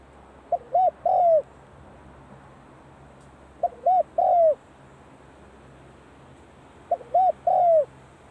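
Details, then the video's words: Spotted dove practising its call at the start of the cold season in Thailand: three repeated phrases, each a short note then two mellow looping coos ending in a longer, louder downslurred coo, spaced about three seconds apart, over a low steady hum. "#เสียงนกเขาใหญ่ เข้าหน้าหนาวออกซ้อมเจ้าหลิ่วตัน"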